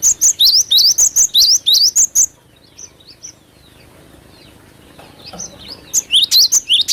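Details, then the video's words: Cinereous tit in energetic 'gacor' song: a fast, loud string of about ten piercing whistled notes, a quiet gap with soft distant chirps, then another rapid burst of sharp notes. "Pancingan Suara asli burung glatik batu gacor"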